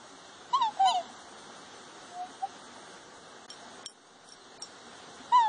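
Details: Three black swans (Cygnus atratus) calling and displaying toward a large puppy: a few high, musical bugling notes that slur downward, three near the start and one at the end, over faint background hiss.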